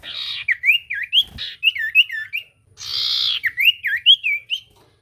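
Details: Common iora song used as a lure to make silent ioras reply: rhythmic rising-and-falling whistled notes, interrupted twice by brief broad hissing bursts, with a knock in between.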